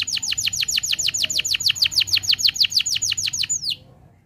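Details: Canary singing actively as a model to get silent canaries singing: a long, fast trill of sharp, downward-sweeping whistled notes, about five per second, very even, ending with one longer falling note, then quiet.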